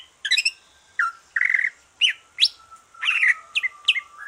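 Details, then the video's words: Greater green leafbird after moulting, singing to stimulate other leafbirds: varied phrases of rising whistled notes, buzzy trills and sharp chirps, over a faint steady hum. "Kicau santai cucak ijo,,rangsangan cucak ijo selesai nyulam"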